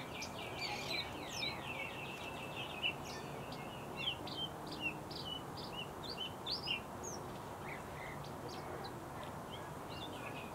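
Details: Bluethroat song opening with a fast, rattling run of repeated ticking notes, then a varied string of high chirps, twitters and slurred whistles, over constant low background hiss.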